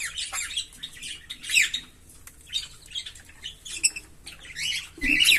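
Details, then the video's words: Continuous shrill chatter from a green Fischer's lovebird pair: scratchy, high twittering notes in uneven bursts, ending in a louder, harsher squawk. "Lovebird Singing & Chirping Sounds"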